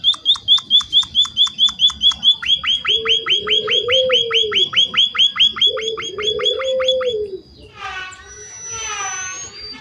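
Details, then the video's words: Munia in full lively voice, played to coax other munias into responding: a long train of shrill repeated chirps about twice a second, with lower drawn-out tones beneath and a warbled flourish near the end. "Suara burung Emprit Pipit gacor untuk pancingan agar emprit lain cepat bunyi sahut sahutan"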